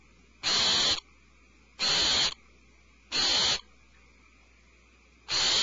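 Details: Owlets inside their nest cavity screech in alarm: four broad, rasping hiss-like bursts, spaced unevenly over a few seconds, with low background hum in the gaps.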